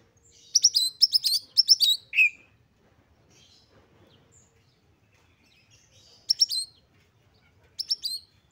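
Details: Oriental magpie-robin, excited, singing to provoke other magpie-robins: a quick run of four sharp chirps ending in a downslurred whistle, then long quiet stretches broken by two brief chirp bursts.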